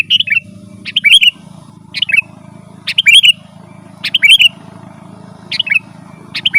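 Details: Sooty-headed bulbul in lively, continuous 'gacor' song used to lure wild birds: short bubbly whistled phrases of quick up-down notes, about six bursts with brief pauses, over a steady low hum.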